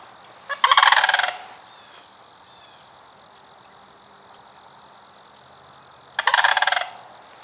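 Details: Sandhill cranes at Kensington Metropark in Milford, Michigan: two loud, rolling, rattling bugled calls, each under a second long and spaced about five seconds apart, over a steady faint background hum.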